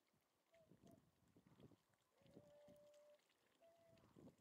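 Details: Tundra swans on Lake Biwa, west shore, recorded 27 February 2020: flat, sustained, hollow calls, one drawn out for nearly a second, alternating with short ones, amid low churning water-like noise.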